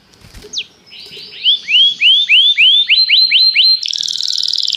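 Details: Canary calling another canary to sing, as song training: a falling note, then about ten clear upswept whistles in quickening series, ending in a fast buzzy trill.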